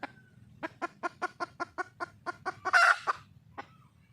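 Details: Wild red junglefowl hen calling for a male: a steady run of short, even clucks about five per second, ending in a loud, harsh, drawn-out squawk, then a single further cluck.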